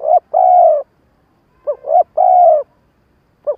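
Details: A decoy spotted dove coos the halting pattern used to rouse wild birds. Two phrases of short rising hoots leading into a long, steady, soft coo, then the first hoot of another.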